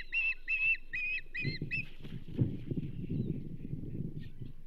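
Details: Osprey at the Charlo nest, 27 April 2024, as the banded female receives a whole whitefish. Five shrill whistled calls open the recording, then give way to loud low rumbling and rustling noise.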